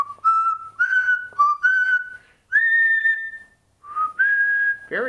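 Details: Parrot kept as a pet whistling phrases of "Anchors Aweigh" during practice with its owner: a quick series of pure whistled notes gliding upward, a long sustained higher tone, a short pause, then more rising whistles ending in a harsh call.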